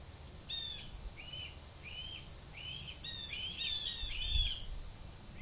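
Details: Young red-tailed hawk learning from its parents, vocalizing at its mother for food as she passes, 2 July 2023: one strong squeal, then a string of short thin whines building into loud, layered overlapping screams.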